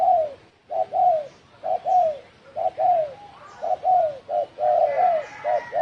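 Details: Thổ sấm style cooing from a spotted dove, meant to provoke other birds. Rapid, uneven run of short and drawn-out hollow coos that slur downward. A faint higher chirping bird enters near the end.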